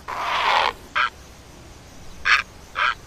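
Great egret giving a long, harsh, rasping croak followed by three short, gravelly squawks spaced about a second apart.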